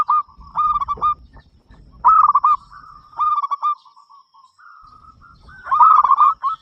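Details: Local zebra dove with a big, strong voice singing steadily to invite other doves to sing: four low, rolling phrases of quick stuttered coos, each about half a second, with faint drawn-out cooing between and a soft background rumble.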